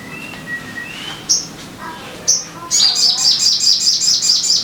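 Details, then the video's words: Sogon song played as a lure for caged birds: a few scattered thin whistles and chirps, then a fast, steady string of sharp, high twittering notes. "Pancingan Suara Burung Sogon Biar Cepat Gacor"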